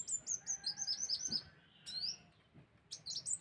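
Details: Sunbird used to lure birds: rapid series of high, sharp chirping notes, a brief pause, then more quick chirps over light background noise.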